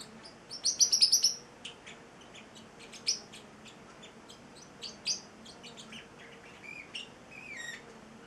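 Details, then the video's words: Eight-week-old male Celestial parrotlet kept as a pet, singing: a loud burst of high, buzzy chirps, then scattered sharp ticks and short whistled, rising and falling notes. "the Singing Parrotlet"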